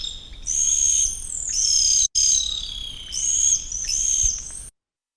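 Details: Two Sooty Owls duet at night in the Yarra Ranges forest in long, high, piercing whistles that overlap and slide gently downward, in bursts of about a second each.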